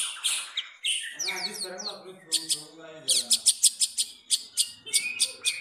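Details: Captive long-tailed shrike performing a song borrowed from the sooty-headed bulbul: rasping notes give way to a fast series of crisp, evenly spaced high chips, then scattered sharp notes.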